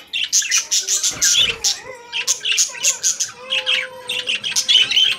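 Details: Caged budgerigars warbling in fast, buzzy chattering bursts with squawks, while a few lower, drawn-out whistled notes run faintly underneath.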